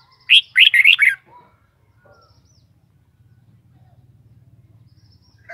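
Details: Kept red-whiskered bulbul singing one loud, quick phrase of five chirpy, warbled notes, rising and falling, in the first second. A soft low hum follows.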